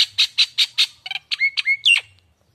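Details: Young untrained Nias hill myna gives five harsh rasping squawks in quick succession, followed by shorter whistled notes and a final sharp, slurred squawk.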